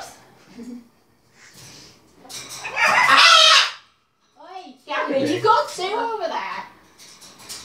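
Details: Two macaws playing excitedly with people give a loud, raspy squawk, then a run of rising and falling cackles, with human voices faintly in the background; most of the cackling and whooping heard comes from the birds.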